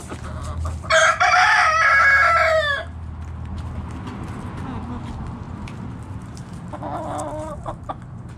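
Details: Rooster in a backyard chicken flock foraging in the morning gives one loud, ringing crow of about two seconds, followed by a softer, shorter call some seconds later over a low steady outdoor rumble.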